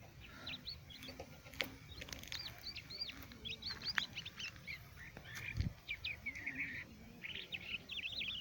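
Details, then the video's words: Crested larks in Quetta sing a steady run of bright, varied whistles and slurred chirps, phrases following one another quickly, over a faint hiss and low background rumble. "crusted lark birds singing"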